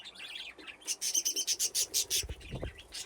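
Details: Aviary budgerigars at play near nesting boxes: soft warbling, then a rapid run of about a dozen evenly spaced sharp chirps, followed by a couple of low thuds.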